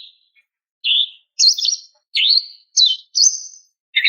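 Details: Female greater green leafbird calling to a male with six separate slurred, sweeping chirps spaced roughly half a second apart, each bending sharply in pitch.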